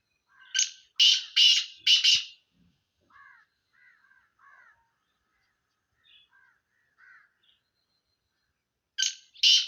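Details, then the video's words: Harsh rasping phrase of four grating notes from a Sindhi black francolin, then several seconds of gentle, downslurred chirps from another bird before the francolin starts a new harsh series at the end. "سندھی کالے تیترکی مکس آوازیں"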